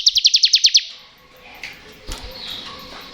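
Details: A bar-winged prinia rattles out its ngebren song, used as a lure to get lazy or untrained prinias singing: about eight fast, sharp high pulses, then a faint chip and light background noise.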